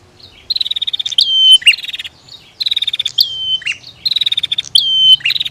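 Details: Female and male bar-winged prinias exchanging calls, each burst a fast pulsed buzzy rattle followed by a drawn-out whistle and sharp downward chips, three bursts in close succession on a clean quiet background.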